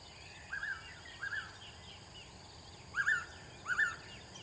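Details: Repeated double-note whistles of a Blue-winged pitta, two softer calls followed by two louder ones roughly a second apart, set against steady high-pitched insect-like hiss and faint bird twitters.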